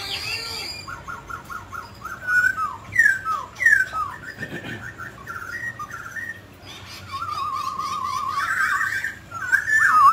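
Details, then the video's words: A mutant grey laughingthrush singing and dancing gives rapid repeated whistles, sharp descending notes, a brief thud, then a long wavering trilled whistle and louder warbled phrases toward the end. "Chú chim khứu xám tro đột biến hót múa cực đẳng cấp"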